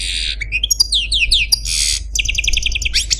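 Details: Short passage from a caged pet male Algerian Parva goldfinch: buzzy notes, descending slurred whistles, a harsh rasp and a quick series of repeated chirps over a steady low hum.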